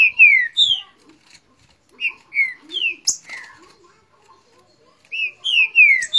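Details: Green-winged saltator in Rio de Janeiro, singing noisily against a neighbour: loud whistled phrases of three or four slurred, descending notes, repeated in bursts with short pauses between, a faint sharp click midway.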